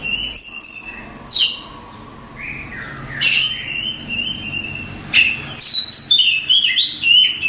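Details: Contest-winning Oriental magpie-robin singing: a high thin whistle, then a sharp descending sweep, a mid-pitched sustained whistle, and a rapid jumble of bright chirps and trills in the last seconds.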